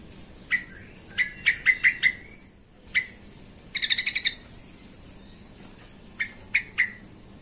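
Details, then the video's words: Sooty-headed bulbul song played to agitate other bulbuls: scattered clear whistled notes, a quick buzzy run of six notes, then a few more spaced whistles against a quiet background. "TRUCUKAN EMOSI BONGKAR ISIAN❗BIKIN TRUCUK LAIN SEKALI DENGAR AUTO KOAR KOAR❗"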